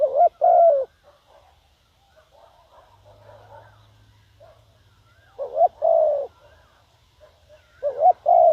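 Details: Spotted dove used as a decoy, cooing to draw in wild birds. Two loud bursts of low, hollow coos separated by a long quieter stretch holding faint murmuring notes and a low hum.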